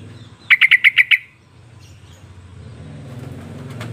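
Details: Sooty-headed bulbul call used as a lure to make other bulbuls answer: six quick, clipped chirps in under a second, followed by low rumbling background noise, possibly traffic.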